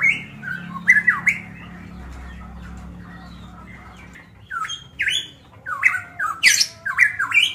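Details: Golden myna from Manokwari, Papua, singing in captivity: after a quieter opening, clear loud whistled notes with squawky overtones come in quick bursts, rising and bending, with low hum beneath.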